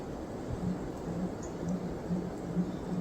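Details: Sooty Grouse heard from trees at a wilderness camp near the Cambria Icefield, Canada, giving a faint series of very low, soft hoots about two a second, under a steady rushing hiss.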